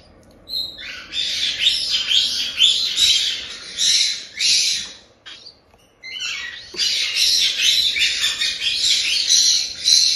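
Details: Brood of one-month-old cockatiel chicks in Tokachi, Hokkaido, begging with the raspy 'jaa-jaa' cry of the chick stage. Two long bouts of dense, grating squawks are split by a short silence.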